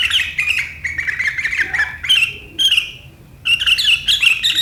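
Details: Sharp riwikan chattering from a sooty-headed bulbul (kutilang), 7 April 2023: squeaky warbled phrases, a short rising whistle, a brief pause, then another burst of chatter.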